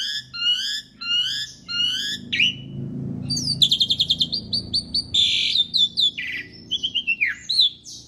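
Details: Asian pied starling in energetic song for teaching other birds. Three repeated whistled motifs open the phrase, followed by a long sequence of rapid chattering notes, buzzy blocks and downslurred whistles over a soft low rumble.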